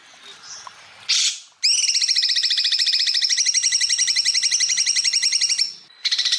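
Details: Greater green leafbird (cucak ijo) used as masteran training song, full bursts: brief noisy notes, then a long, rapid, high, rattling trill of evenly repeated buzzy pulses lasting about four seconds, then another burst.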